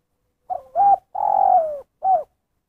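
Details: Spotted dove calling in the 'kuk satu' style: four-part phrase of short hoot, rising two-note coo, extended coo falling in pitch, and a clipped final hoot, set against silence.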